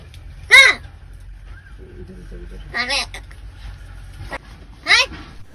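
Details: Crow that talks, reportedly imitating Marathi words, gives three loud rasping calls, each a rising-then-falling harsh note, spaced about two seconds apart above a steady low rumble.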